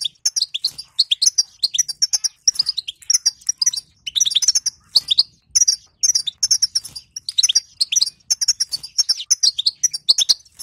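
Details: Female European goldfinch giving the 'batbata', played to get a quiet male goldfinch singing: a continuous stream of bright, liquid, high chirps and trills, with occasional short gaps.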